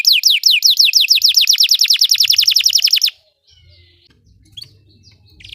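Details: Belgian canary song used for canary training: about three seconds of rapid repeated downslurred notes, then near silence with a few faint chirps and low background rumble.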